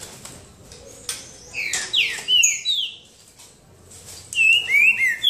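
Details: Singing duel of green-winged saltators in boca mole style at João Monlevade: several slurred, whistled phrases in overlapping bursts, with a second loud run of rising and falling whistles near the end.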